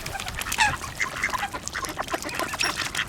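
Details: A large winter flock of mallards, with a few other waterbirds, feeding in a frenzy at an ice hole on a pond, quacking over one another in short, nasal, rasping calls, with softer chatter and splashy rustling.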